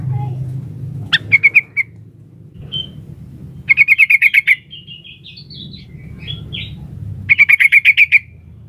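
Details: Female sooty-headed bulbul calling a male: three rapid bursts of sharp staccato notes, six to nine per burst, separated by pauses filled with higher squeaky whistled notes and faint low background noise.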